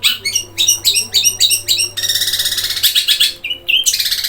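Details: Long-tailed shrike singing in the 'gereja kuntilanak roll speed tembak' style: a series of sharp rising chirps about three per second, then a fast buzzy rolling trill, two short whistled notes and a final burst of chatter over a low hum.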